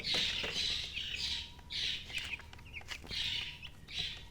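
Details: Chicken chicks chirping in loud, smeared bursts of high peeping, coming in clusters about every half second to second, with brief quieter gaps between groups.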